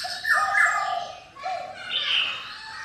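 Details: Black-throated laughingthrush song: full whistled notes in two phrases separated by a short pause, with a lower steady tone under the first phrase and a higher rising sweep at the close.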